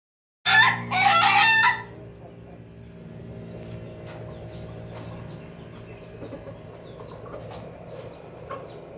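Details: A Pelung rooster gives a loud, harsh two-part "laughing" crow, then low background hum and faint noise.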